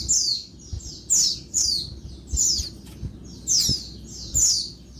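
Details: A female Oriental white-eye calls noisily by day to stimulate males: loud, high, sweeping-down chirps in paired bursts about every half second to second, with faint low taps behind.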